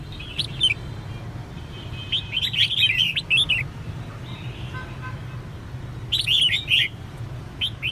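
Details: Female red-whiskered bulbul calling to provoke male song; scattered bright chirps building to a dense burst of slurred warbling notes, a lull, then another short burst, with steady low hum throughout.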